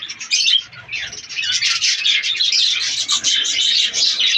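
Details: A breeding colony of budgerigars in breeding season: a brief loud chirp, a short lull, then a dense swelling chorus of high squeaky chatter.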